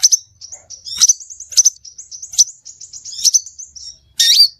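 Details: Scarlet minivet lure sound: rapid high twittering notes strung together, sharp accented chirps about every half second, and a louder harsh burst at the end.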